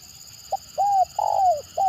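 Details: Spotted dove in the stuttering 'gagap' style, kept to draw responses from other birds. There is a short clipped note, an arched coo and a long coo drooping at its end. Another coo begins as the clip cuts off. A constant high hum plays behind.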